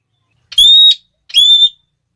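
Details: Two piercing, slightly rising 'klee' notes from a red-cheeked parrot (Geoffroyus geoffroyi), each about a third of a second, spaced under a second apart; the call is said to prompt other parrots to call loudly. Quiet otherwise.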